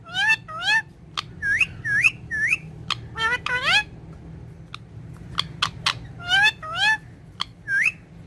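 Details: Indoor green ringneck parrot chattering at its mirror, with Urdu and Hindi talking. Bursts of short, hooked, harmonic chirps come in clusters and rise and fall in pitch, broken by sharp clicks and brief pauses.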